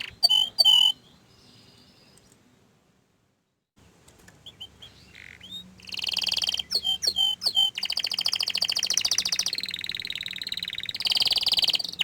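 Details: Canary singing in bursts: a brief trill, a long quiet gap, then dense, loud buzzy trills and sharp chips in the second half.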